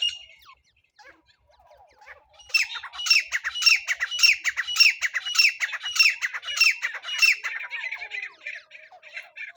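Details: Francolin calling as a trapping lure: after a quiet start, a series of around ten harsh, grating bursts repeated at a steady, quick rhythm, trailing off into softer rasping notes at the end.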